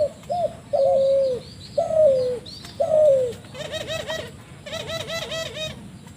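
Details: Spotted dove giving an unusual call used to lure other spotted doves: short hollow coos repeated about once a second. These give way to a run of rapid, pulsed, harmonic-rich rolling notes, over a steady background hiss.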